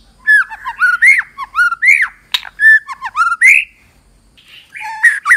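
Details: Female white-rumped shama singing to stir males into song: rich whistled phrases of rising and falling slurred notes, clear and varied, with a short pause before a final burst of whistles.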